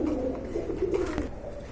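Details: Pigeons for sale in Bangladesh, some local and some foreign, give low, soft, rolling coos indoors in a small room, over a steady background hum.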